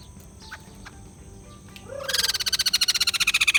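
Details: After faint scattered notes and a low upward-sliding call, a white-crested laughingthrush breaks into a loud, fast, rattling chatter of evenly spaced pulsed notes that runs to the end.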